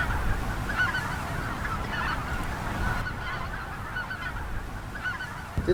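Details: Large flock of Greater White-fronted Geese in western Minnesota in early April with spring snow, sitting on ice and flushed by an approaching observer; distant massed honking and yelping chatter under a steady low rumble of wind.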